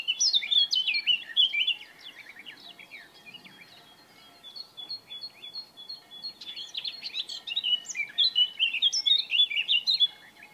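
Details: A male Eurasian blackcap (Sylvia atricapilla) in Bavaria, Germany, in June or May, sings rich, rapid warbling phrases of clear fluting notes in two bursts of about two and five seconds with a quiet pause between.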